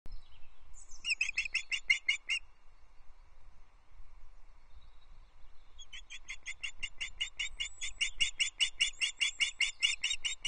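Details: Wild ospreys at Loch Arkaig Nest Two, Scotland, at sunset on 16 May 2024, as the male brings a third fish, a big headless trout. Bursts of rapid, repeated high chirping calls, a short pause, then a longer run.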